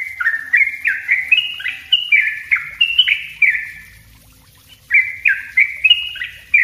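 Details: Yellow-vented bulbul master song in the tight 'ropel rapat' style, used for luring. A chain of short, warbling, down-slurred notes runs for four seconds, falls silent for under a second, then resumes with a few more phrases.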